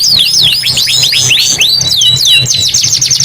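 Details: A canary delivers quick, high, swooping whistled notes in a tight run, a rolling trill continuing over a faint low hum.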